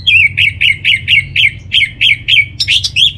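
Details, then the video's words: Orange-headed thrush song meant as a lure to make birds sing: a fast series of about eleven sharp, downslurred chirping notes, roughly four per second, ending in a harsher burst, with faint low hum. "Trbaik Buat Pancingan Burung ANIS MERAH Agar Gacor"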